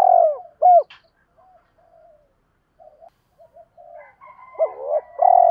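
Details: Cooing of a decoy spotted dove used to draw in wild doves: a loud drawn-out coo and a short hooked note at the start, soft low mutters, then a rough coo phrase over a thin high tone at the end.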